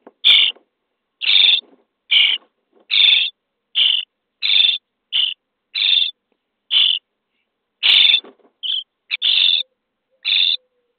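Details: Starling chicks (Sturnus vulgaris) begging inside a nesting box on day 23 of the brood during feeding; a rough, hissing rasp comes about every second, with a few short clipped notes mixed in.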